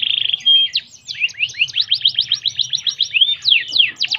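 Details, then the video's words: Canary singing to stimulate other canaries, with a short fast roll and whistle followed by a chain of rising and falling slurred chirps at an even pace. "Quickly stimulating the sound of the canary canary"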